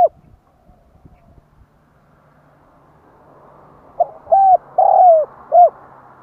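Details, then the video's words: Spotted dove call used to attract wild doves: faint hum and soft taps at first, then near the end a single phrase of four low, hollow coos, the third longest. "Cu gáy gọi kích bổi nhanh nổi / Tiếng chim cu gáy kích bổi Hiệu quả"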